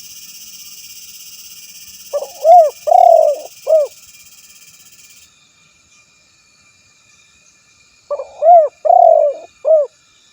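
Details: Spotted dove rival call meant for luring: the same low four-part cooing phrase given twice about six seconds apart, short notes around a long quavering coo, over a faint hiss that fades early.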